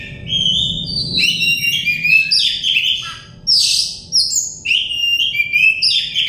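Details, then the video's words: Oriental magpie-robin singing as therapy for a stressed bird: a fluent, varied stream of whistled and slurred notes with a loud harsh rasp midway, then more rising and falling whistles, soft low hum beneath. "terepi kacer bahan kacer setres kacer daon cepat gacor ngeplong"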